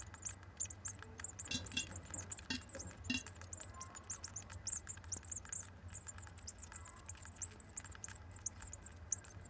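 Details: Great tit nestlings on day 7, recorded 7 June 2014, keep up a dense brood chorus of very high, thin, rapid cheeps over a low steady hum.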